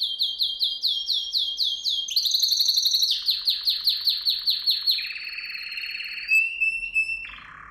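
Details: Training song of a canary: repeated bright upward-swept whistles about four a second, a dense buzzy trill, a series of falling slurred notes, then a low rattle and a held whistle, clean and loud.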